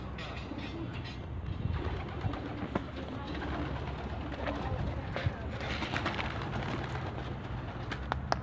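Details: Homing pigeons in Şanlıurfa, Turkey, on 19 October 2018, giving deep murmuring coos mixed with human voices and occasional sharp taps in the background.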